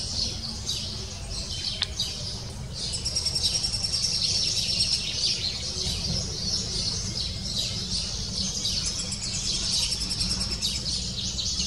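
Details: Lesser spotted woodpecker chick in the nest, excited as the female arrives with food, begging insistently; rapid, shrill chattering builds and pulses, with a sharp click near the start and steady low hum.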